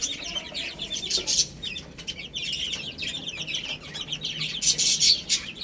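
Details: Little chicks feeding and playing together: shrill, rapid cheeping from several birds at once, short high notes tumbling over each other, with brief louder bursts near the end.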